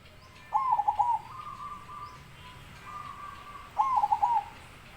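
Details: Zebra dove singing: two phrases of rapid, rolling, bubbling coo notes, each under a second long and about three seconds apart, joined by a faint steady tone in a quiet outdoor setting.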